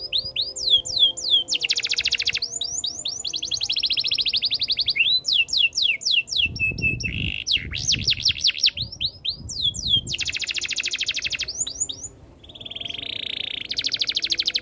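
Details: Canary delivering a long varied song: downslurred whistle series, dense high rattling trills and a nasal buzzy note, with a soft low thumping sound in the middle.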